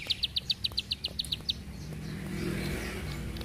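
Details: Bar-winged prinia giving a fast series of about eleven crisp, high clicking notes, then stopping as a rushing, vehicle-like background noise swells.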